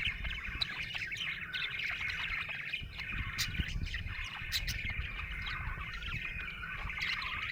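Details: A happy budgie chirps in a continuous, wavering twitter with occasional sharp clicks, over a steady low background rumble.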